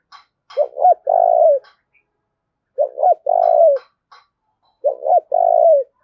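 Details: Decoy spotted dove calling to incite fighting: three even phrases about two seconds apart, each a quick stammered coo followed by a sustained downslurred coo, with soft clicking noises.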